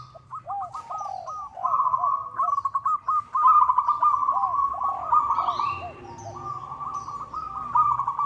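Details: Local zebra dove calling to a rival, a recording used as a lure: a rolling, rapid cooing trill interwoven with soft, arched coo notes. The phrases run almost without pause, with faint higher chirps from other birds.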